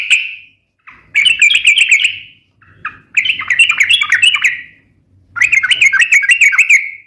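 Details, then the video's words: Active sooty-headed bulbul, recorded as a lure and tutor song: three chattering bursts of quick, jumpy whistled notes with short gaps between them and a soft low hum behind. "suara trucukan gacor cocok untuk pancingan dan masteran"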